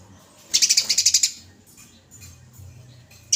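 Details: Fighting Eurasian tree sparrow recorded for training songbirds: a single burst of about nine quick, scratchy pulsed chirps, followed by a soft murmur and the start of another note at the end.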